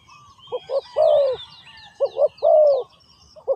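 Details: Ground decoy trapping with a spotted dove cooing: two short hoots and a long downward coo, repeated twice and starting again, against a busy backdrop of high chirping birds.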